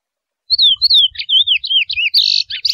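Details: Chestnut-bellied seed finch, wild forest bird called curió mateiro, opens its song with smooth slurred whistles rising and falling, then switches to a short burst of rough buzzy notes at the end.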